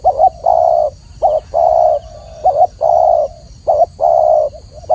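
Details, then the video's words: Clear spotted dove song, short hooked note followed by a longer level coo, repeated steadily in quick succession across the whole recording, with only a soft low background hum. "masteran burung tekukur atau spotted dove suara jernih"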